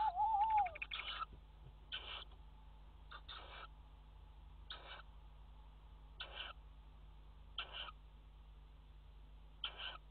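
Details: Tawny owl at a water-tower nest box on 5 February 2018, during mating: opens with a falling whistled note and rapid ticking, then hoarse rasping calls spaced about every 1.5 seconds against a low electrical hum.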